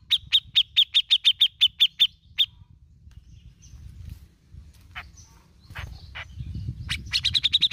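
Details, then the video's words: Bearded bulbul singing in besetan and ngepik style, used to prompt other birds to sing; a rapid run of about ten sharp, evenly spaced notes, a quiet gap with scattered chirps, then another fast run over low background rumble. "BESETAN DAN NGEPIKNYA OKEH BANGET ,REKOMENDED UNTUK PANCING BUNYI .CUCAK JENGGOT GACOR"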